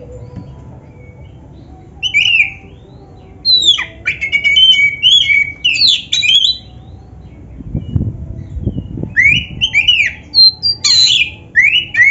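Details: Black-breasted oriental magpie-robin pouring out varied song meant to prompt other birds to sing: bursts of sweet whistles, scratchy buzzes and rapid chips, interrupted by a quiet spell and a few soft low thumps.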